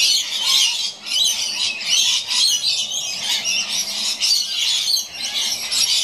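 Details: Rainbow lorikeets, a couple playing on an old rope up in a gum tree, keep up a rapid, raucous run of shrill squawks in short pulses, barely pausing over several seconds.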